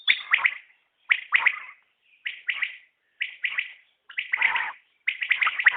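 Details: Common quail calling: sharp, clipped three-note phrases of buzzy chirps, repeated about once a second with short silent gaps between them.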